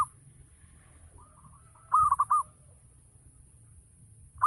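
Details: Local zebra dove giving ngayer-style song meant to prompt other doves to reply: one clear rolling coo of four quick notes after a softer, drawn-out coo, then the start of another phrase, over a faint low rumble and high hiss.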